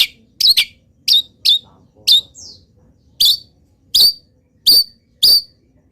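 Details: Local long-tailed shrike (cendet) singing in full voice, its song filled with wild-bird phrases: sharp, high, downward-slurred chips repeated roughly every half second, with a brief buzzy note near the middle.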